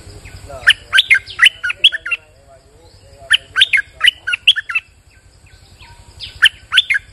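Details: Rainy-day bulbul delivering repeated phrases of bright, bubbling whistled notes in rapid runs, pausing between bursts, with steady low background hum.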